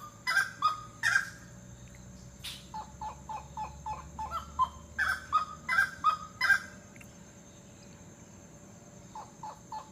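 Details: Grey-necked wood rail from Costa Rica calling: a loud series of honking, clucking notes, some doubled, rising and falling in bursts over several seconds, then a few softer scattered notes; a steady high electrical whine runs throughout.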